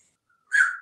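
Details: A male African grey parrot, hatched in 1997 and kept as a pet in a Texas home, gives a single harsh, raspy caw imitating a crow after near silence, as part of his "caw crow" song.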